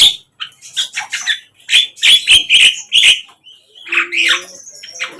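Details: A flycatcher in the wild gives short bursts of sharp, scratchy chirps, grouped in quick clusters with brief pauses, ending in a rougher, more buzzy phrase.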